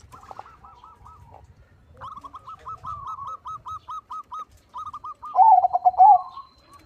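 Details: Background doves repeat short, even, higher coos about every half second. Then a big-voiced 'crossing' perkutut, a zebra dove, breaks in with a loud stuttering, rolling song phrase.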